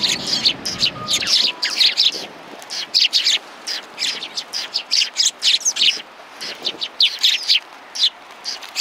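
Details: A flock of sparrows perched on a bench at a Tenmangu shrine, January 21, 2020, chattering in dense, overlapping high chirps almost without pause; a low rumble fades out after the first second.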